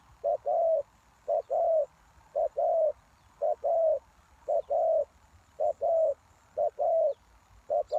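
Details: Lure spotted dove for wild doves, delivering regular coo pairs: a short hoot and a longer rounded croon, repeated about once a second in an even rhythm.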